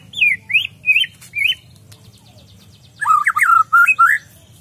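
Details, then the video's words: Gacor singing by a white-rumped shama: four high, looping whistles in quick succession, a pause, then a richer phrase of deep bold whistles with abrupt turns. Low hum beneath. "Murai batu gacor"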